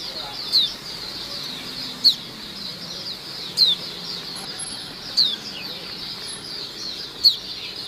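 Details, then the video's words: White-eye lure sound: single short, high, downslurred tsee notes spaced about one and a half seconds apart over a steady hiss, otherwise quiet. "suara pikat pleci dan pancingan pleci ombyokan gacor"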